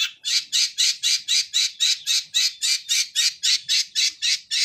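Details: Long-tailed shrike, fighting song in the sparrow style: loud harsh rasping notes repeated steadily about four times a second throughout. The background is otherwise quiet.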